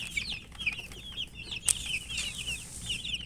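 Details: Coloured chicken chicks chirping from thirst for drinking water: a dense chorus of high, short, downslurred peeps overlapping continuously, with one sharp click near the middle and faint low background hum.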